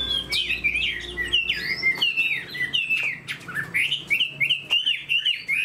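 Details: Fan-tailed caged Chinese hwamei sings loud looping whistles and chattery notes in rapid, jumbled phrases, with occasional sharp clicks.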